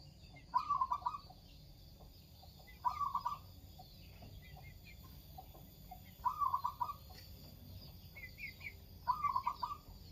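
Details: Local zebra dove in full voice, giving four bursts of soft, rapid, bubbling coos at a steady low pitch, spaced two to three seconds apart, over faint background twittering of other small birds.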